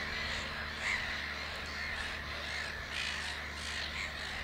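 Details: Harsh, grating cries of black-headed gulls at Lake Hornborga (Hornborgasjön), Naturum, during a rest from nest building, many birds calling at once in an unbroken din, a few louder squawks standing out, steady low humming beneath.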